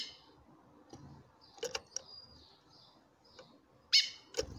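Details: Female chestnut-bellied seed finch calling to a male: a cluster of small clicks and ticks, then one strong sharp call near the end, while soft thin whistled notes drift in the background.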